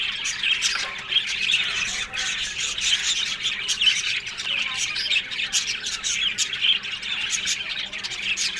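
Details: Budgies in an aviary colony keep up steady, overlapping high chirping and scratchy warbles, with louder squawks popping out at irregular moments over the busy flock chatter.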